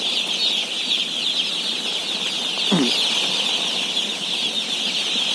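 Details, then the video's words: About 17,000 day-old chicks at feeding time fill the air with a continuous high-pitched peeping wash; a short lower swooping sound cuts in briefly near the middle. "BABY CHICKEN SOUNDS"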